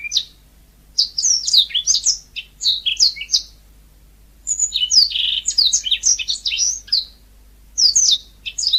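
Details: Natural song of a yellow-fronted canary: two loud phrases of quick, high, chattering notes separated by quiet, a dense rapid middle section with buzzy elements, and a brief closing burst.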